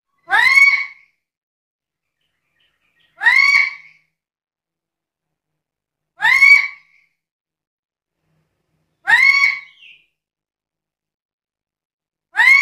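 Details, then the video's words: Black-capped lory, described as noisy and talkative, repeating a short, harsh, rising-then-falling screech about every three seconds, five times, with silence between calls. "Burung nuri kepala hitam gacor cerewet ini terbaik untuk pancingan dan masteran"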